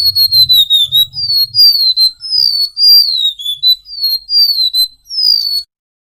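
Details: Golden-bellied gerygone in full song, meant for training cage birds. A rapid string of about a dozen high, sweet whistles, each slightly falling, runs without pause over faint low rumbling at the start.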